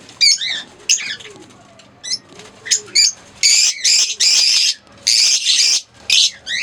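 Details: Green Fischer's lovebird pair calling: scattered sharp upswept chirps give way to longer harsh screeching bursts repeated about once a second.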